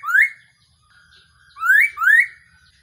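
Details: Trapping decoy call of a Black-throated laughingthrush: a loud upslurred whistle, then after a pause two more rising whistles given in quick succession.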